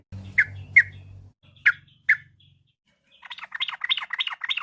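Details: Yellow-vented bulbul song played in the afternoon as a lure to get other birds singing: four clear, short slurred notes spaced apart, then a fast bubbly run of chattering phrases, over a low steady hum.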